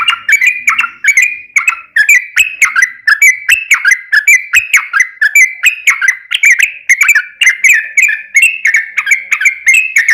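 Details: Lure song of a yellow-vented bulbul in long ropel style, to provoke other bulbuls: steady, unbroken chattering of sweet, slurred whistles, about three notes a second, running throughout.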